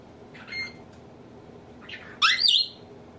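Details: Pet male African grey parrot indoors, mimicking household sneezes, laughs, burps and nose blowing: a soft, hissy burst, then a loud rising whistled squawk with bright harmonics near the end, over faint room hum.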